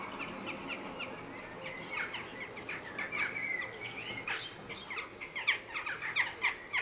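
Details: Western jackdaws in a conflict at a chimney nest holding a pair's chicks, perhaps neighbours peeking or an unsuccessful pair harassing, trade sharp, squeaky 'chak' calls in irregular bursts, louder and more frequent toward the end, over faint background noise.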